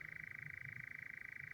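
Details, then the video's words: Nightjar churring on heathland at night, two birds calling from right and left at some distance; a continuous, evenly pulsing churr over soft low rumble. "Nightjars you can hear off to the right, and there is another one to the left."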